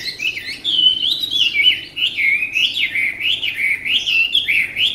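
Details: Tame Chinese hwamei, praised for its fine voice, singing a loud, continuous warble of looping whistled phrases that rise and fall rapidly at a high pitch, with no pauses across the stretch.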